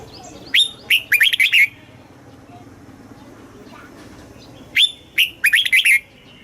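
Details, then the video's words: Red-whiskered bulbul, caged, Thailand, singing southern master-style phrases meant to stimulate caged birds and teach young birds: two crisp whistled phrases about four seconds apart, each a burst of five or six notes, with quiet between them. "เสียงนกกรงหัวจุก สำหรับต่อ หรือ เปิดให้นกคึก"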